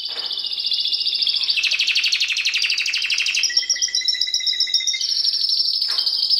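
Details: Timbrado canary, a breed kept as a pet singer, in continuous song: long rolling trills of rapid repeated notes, shifting between high bright tours and lower buzzing rolls, with a clear whistled phrase near the end.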